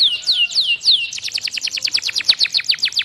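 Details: Canary song recorded for training other canaries: several slow, drawn-out downward whistles, then a rapid even series of short chirps repeated about seven times per second.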